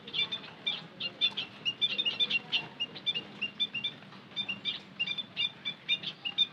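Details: White-headed munias (emprit kaji) calling as a lure: near-continuous high squeaky chirps, pulsing several times a second in a chattering flock-like chorus.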